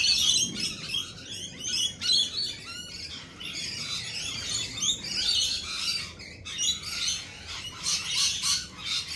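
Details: Lorikeets in a group keep up a constant, piercing racket of scratchy shrieks and quick chirps, steady in loudness throughout.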